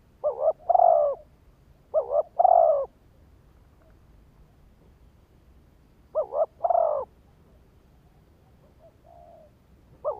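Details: Spotted dove decoy call used in Vietnam to lure and trigger wild males: three cooing phrases, each a quick pair of short hoots followed by a longer, louder mellow coo, spaced a few seconds apart over quiet background.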